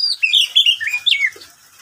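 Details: Pet oriental magpie-robin singing in the middle of the day: a short burst of bright whistled notes sliding down and up, ending with a low chuck.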